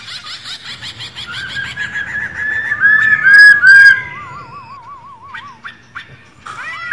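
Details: Female white-cheeked laughingthrush, used as a morning playback to stimulate pet laughingthrushes: a low stuttering run, then gliding whistled phrases, a wavering trilled whistle that wobbles steadily downward, and sharp clicks near the close.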